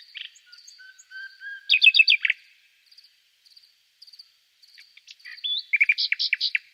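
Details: A nightingale's varied song begins with soft high notes and a low whistle, then a loud rapid trill. After quiet clicks, it ends with a rising whistle and a jumble of sharp notes.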